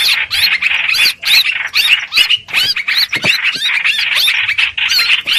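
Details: Streak-eared bulbul calls played as a trapping lure: scratchy, busy chatter with upswept whistles in bursts of about half a second, with only a few short gaps.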